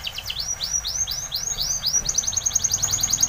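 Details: Spanish Timbrado canary song for training: a chain of rising-falling whistled syllables, about four a second, shifting after two seconds into a faster, tighter high trill.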